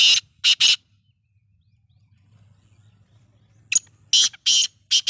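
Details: Black francolin calling: short, harsh, grating bursts in quick groups of two or three, a long quiet gap, then another burst series. Faint low rumble in the background.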